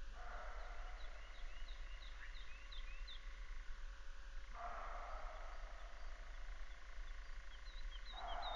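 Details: European nightjar (öösorr), recorded in 2019, giving a steady mechanical churring trill that runs for several seconds, breaks briefly, then resumes; small birds chirp faintly at high pitch overhead.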